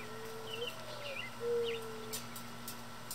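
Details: Backyard flock of mourning doves pecking seed beneath feeders: a low cooing phrase of a long steady note, a brief upslur, then another drawn-out soft tone, with faint chirps from small birds, light clicks and a steady background hum.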